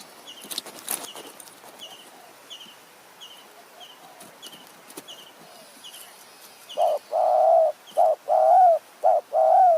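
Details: Spotted dove used as a decoy to lure wild doves in high mountain forest near Kanchanaburi, Thailand, in the evening. Faint insect ticks and tapping come first, then loud low coos start late, as short double notes and longer drawn-out coos.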